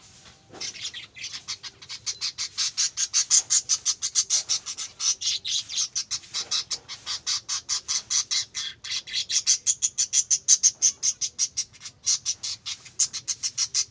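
Budgerigars chattering in a fast, continuous stream of high, scratchy chirps and squawks.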